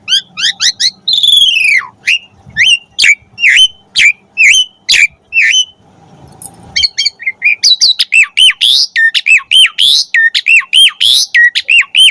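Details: Asian pied starling in varied song used as a tutor for caged starlings: descending whistled notes and sharp chips, a short pause, then a dense run of rapid looping whistles and chatter.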